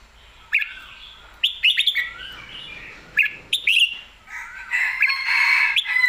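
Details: Song of a red-whiskered bulbul, described as heavy in every note: several quick bouncing whistled phrases, then a longer, denser warbling stretch toward the end, with crisp clicks between phrases.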